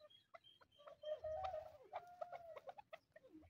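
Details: A pair of hunting chukar partridges calling and excited. Loud, repeated clucking chuk notes sit mid-pitch, with several drawn-out, slightly wavering notes in the middle and quieter clucks toward the end.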